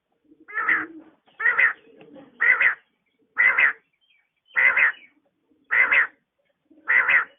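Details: Morning calls of a female quail: strong, buzzy, rasping notes, some doubled, repeated roughly every second in a steady series of seven, with faint low murmurs between them and no other sounds.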